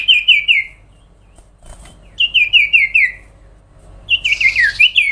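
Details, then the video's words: Sooty-headed bulbul in full, long-running song: two bursts of quick, bright, downslurred whistled notes stepping lower, then a faster, jumbled phrase at the end, with short pauses between. "sirtu gacor suara panjang"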